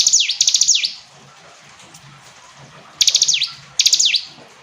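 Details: Hill prinia song: three bursts of rapid, sharp, high-pitched repeated notes, each phrase ending in a quick downward-sweeping note. The phrases come at the start, near three seconds and near four seconds, over a faint low hum.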